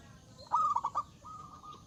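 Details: A single loud zebra dove phrase, the big-voiced perkutut song that invites rivals: a quick burst of four throaty rolled coos followed by a fainter, level trailing note.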